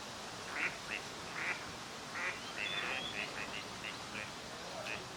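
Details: Wintering Gadwall in courtship display for pair formation on a park pond in Chiba, Japan, November: short nasal quacking notes in quick, uneven bursts with a few thin whistles, over steady background hiss.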